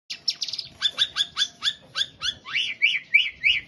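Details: White-rumped shama singing actively: a quick stutter of high notes, then a steady series of clear two-part phrases about three per second, ending in rising-falling slurred whistles.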